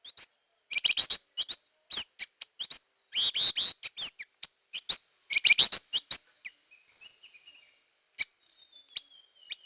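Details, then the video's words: Hair-crested drongo in a lure recording: quick bursts of sharp, upswept metallic chirps in dense clusters, with a few drawn-out descending whistled notes near the end. "Suara Pikat Burung Gentolang / Srigunting Kantil"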